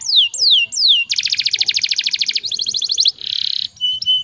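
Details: Canary pouring out a rolling song: falling sweeps, then a long rapid metallic trill, a second faster trill, a harsh buzzy burst and a brief high whistle.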